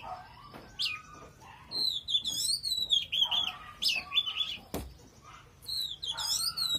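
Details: Oriental magpie-robin singing strongly: long sweeping whistles and fast trilled ornaments, interrupted by a sharp knock, then resumed song over a faint low hum.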